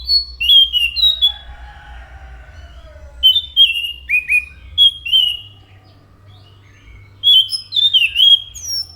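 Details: Energetic song of an anis macan, or orange-headed thrush: sharp whistled notes and short slurred phrases delivered in loose clusters, a soft warbling undertone early on, a quiet stretch mid-way, then more whistles, over low background hum.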